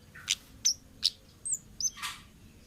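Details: Wild orange-headed thrush delivering a short series of high whistles and rasping, buzzy notes, about five separate elements spread over a few seconds.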